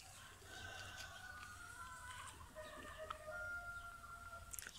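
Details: In the morning, roosters crow back and forth in long, drawn-out calls, one answering another as if challenging each other, over a steady murmur of background noise.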